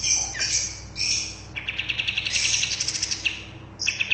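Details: Lively bulbul song for caged-bird training. Short bright phrases open, followed by a fast rolling series of chirped notes and a final sharp high burst.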